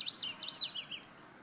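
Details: Fair Isle willow warbler, Auld Haa Garden, delivering a short cascade of soft, sweet slurred notes that drop steadily in pitch, ending after about one second.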